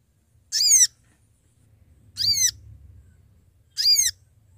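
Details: Calling Sooty-headed bulbul used as a trapping lure, repeating a high, arched, downward-sweeping call three times about every one and a half seconds over a low rumble.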